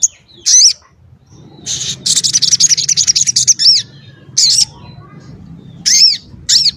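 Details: Crimson sunbird, a small bird locally called sogok or sogon ontong, singing densely, sharply and with variety: very high thin rising-falling whistles, then a fast chattering run of high notes, with short separate bursts after.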